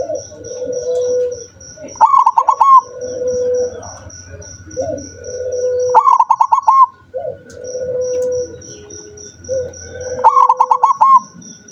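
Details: Rarely singing zebra dove delivering bursts of clipped, pulsed coos about every four seconds, separated by mellow, drawn-out lower notes, over faint low rumble and a constant high ticking background.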